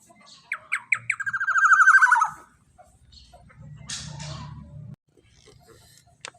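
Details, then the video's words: Black-naped oriole singing as a training lure for other songbirds, a run of sharp separate notes leading into a loud, rich, descending fluty phrase, followed by quieter low rumbling and a brief rustling burst. "Suara Pancingan BURUNG Kepodang Emas TEMBAKAN PANJANG cocok untuk Masteran"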